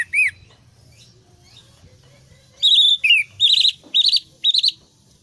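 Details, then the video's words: Orange-headed thrush lure song aimed at a stressed bird that has gone quiet: a lone rising chirp, a pause, then a run of rapid, buzzy warbled phrases about twice a second. "pancingan Anis merah setres dan macet bunyi"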